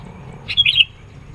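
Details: Sooty-headed bulbul in lively, persistent song used to pressure rivals and lure birds: a single brief whistled phrase with a bright upward flourish, following a short burst of sharp notes, over faint low hum.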